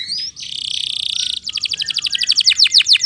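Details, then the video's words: Vigorous canary song used to stimulate silent canaries and to tutor young birds: a dense, buzzy rolling trill, then a series of loud, sharply falling chirps repeated about three times a second. "PANCINGAN BURUNG KENARI GACOR ADA JEDA"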